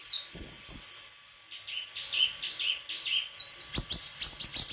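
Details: White-throated flycatcher song: clear high whistles, a brief silence, then varied warbling phrases rising to a fast, bright twitter with clicks near the end.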